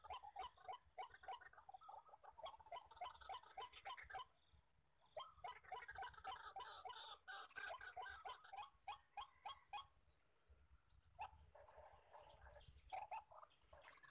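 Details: Many wild male white-breasted waterhens calling on all sides while a decoy bird is used for trapping: quick repeated croaks from overlapping birds, pausing briefly near five seconds, over a constant shrill insect drone.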